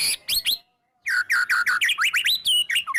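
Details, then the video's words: Loud, emotional white-rumped shama song, rich in sharp 'shot' notes, used as a lure for other shamas. Rising whistles give way after a short silence to a fast run of clear slurred notes sweeping up and down. "murai batu gacor EMOSI NGEPLONG full isian TEMBAKAN jitu jadikan pancingan murai batu agar bunyi"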